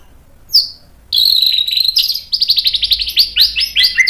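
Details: White-rumped shama singing loudly to stir a rival into replying: a high sweeping whistle, then long runs of very high, rapidly repeated trilled notes stepping down in pitch toward the end.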